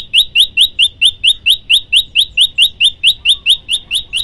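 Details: Male olive-backed tailorbird in lively song, a fast steady series of sharp rising chip notes repeated about twice a second throughout, loud and clear against a quiet background.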